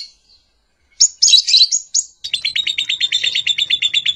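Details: Calling lovebird gives a few high, harsh chirps, then a rapid, even chatter of short repeated notes, about four per second, continuing steadily to the end. No other sounds.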